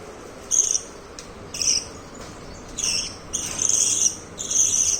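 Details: A family of pet budgerigars gives high, scratchy chirps in irregular bursts over a low background hiss.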